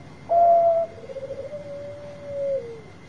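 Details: Bangkok-type zebra dove song, used to prompt idle birds to sing: one loud, clear, level whistled coo, then a soft purring trill that stretches into a long, slowly falling coo. A faint steady high tone runs underneath.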